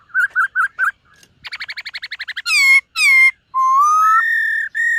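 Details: Silver-eared laughingthrush singing during morning voice training: four short slurred whistles, a fast rattling run of notes, then long loud ringing whistles, one rising slowly and the last held steady.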